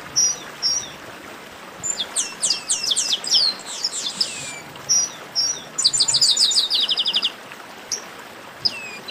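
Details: Chestnut-capped blackbirds in a baderna, a noisy group chorus played to warm up singing birds: sharp high whistles and rapid descending chirps in bursts, ending with a fast buzzy trill around the sixth second, over faint hiss.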